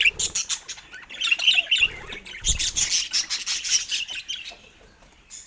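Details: Budgerigars kept as pets giving joyful chirps, a busy stream of high scratchy twitters and warbled chatter, with soft low thumps and a brief fluttery sound partway through, fading toward the end.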